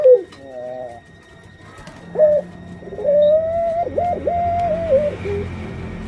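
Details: Caged puter pelung dove hen due to lay eggs: short harmonic coos, a pause, then a long coo broken by several quick wavering dips in pitch. A faint low hum runs underneath.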